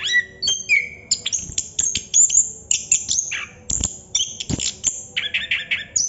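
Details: Chestnut-capped thrush singing continuously in 'ngerol' style, with high thin whistles, quick trills and buzzy downward slurs, plus a few loud snaps.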